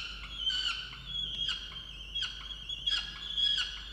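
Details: Female peregrine falcon in a nest box on a water tower in Orange, New South Wales, Australia, calling angrily at her mate for not bringing breakfast, November; harsh wailing notes with strong harmonics, repeated in bursts about every 0.7 seconds.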